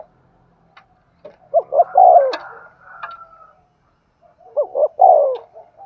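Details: Spotted dove cooing in Thúc Gù style, a decoy song meant to lure wild doves in fast. Two phrases of two quick hooting notes and a drawn-out descending coo, with a clicking sound and a soft whistled tone between them.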